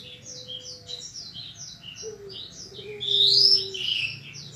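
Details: Bushlark training song for caged birds, 2022 compilation: rapid varied high chirps throughout with a low steady tone at times, building to a loud upward-sweeping whistle followed by buzzy notes.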